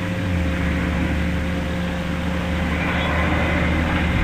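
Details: A steady low engine drone with a constant hum dominates throughout, and no animal sound is heard.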